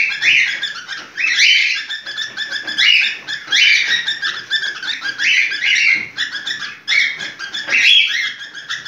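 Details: Cockatiel in breeding condition giving its mating calls indoors: a rapid, continuous run of shrill, harsh chirps and warbles, with louder rising whistled notes standing out roughly every one to two seconds.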